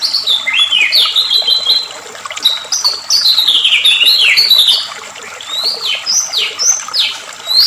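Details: Agitated white-rumped shama song from a lure recording meant to make shamas sing eagerly: rapid bright chirps and steep downslurred whistles in quick bursts, with brief quieter pauses between phrases.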